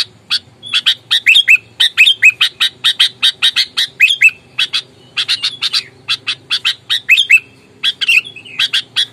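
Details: Sooty-headed bulbul in combative mood, calling to rile opponents: long, nearly continuous series of harsh, rasping chattering notes, fast and fairly even, broken by a few brief gaps and slurred whistled inflections.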